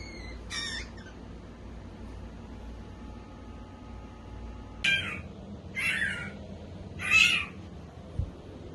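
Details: Rescued, hand-raised baby Blue Jay screaming for Cheez-It snacks: four harsh, raspy screeches, one early then three closer together, with a low background hum and a soft thump.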